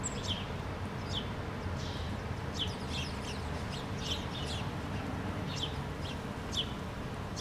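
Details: House sparrows in a Helsinki park, Finland, August 2013, giving scattered sharp chirps, some in quick clusters, against a constant low hum of distant traffic-like noise.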